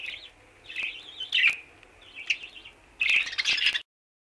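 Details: Free-flying budgerigars chatter in bright, warbling chirps, three scratchy bursts over about four seconds, the last the loudest and busiest.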